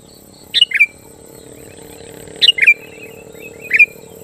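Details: Sooty-headed bulbul song aimed at provoking rivals: three short, bubbly three-note phrases falling in pitch, repeated at irregular intervals of about one to two seconds, with a steady low hum and high hiss underneath.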